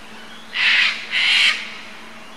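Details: An Australian brush turkey chick in Brisbane Botanic Gardens, Mount Coot-tha, Queensland, Australia, 26 December 2012, gives two harsh, hissing rasps, each under half a second, close together against a quiet background.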